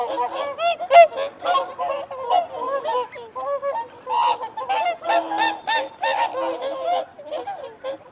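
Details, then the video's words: Whooper swans honk in irregular pulses while feeding and asserting territory, bugled notes with curving upward sweeps, strongest near one second, with wigeon and mute swans in the same recording. "Whooper Swan. Feeding Calls & Territorial Calls"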